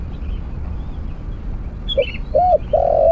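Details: Near the end of a quiet stretch, a spotted dove starts cooing while being trapped with a snare cage and decoy. A short note, an arched coo, then a drawn-out coo that is cut off. A bird chirps just before.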